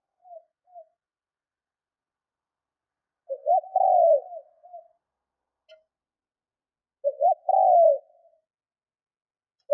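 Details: Decoy spotted dove cooing to excite wild doves: faint short notes, then two full phrases, each a stuttered opening and a drawn-out, falling coo with a soft trailing note, about three and a half seconds apart.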